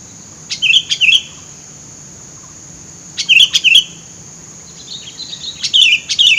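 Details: Sooty-headed bulbul in bushland, used for luring birds: clusters of liquid, bubbly chirps in pairs and triplets, a brief pause between bursts, with a constant high-pitched whine behind.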